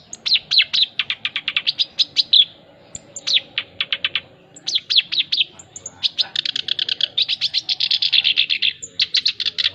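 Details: Song of a male black-browed reed warbler: fast repeated grating chirps in long runs, a short lull near the middle, then a dense, churring, rattling sequence building to the close.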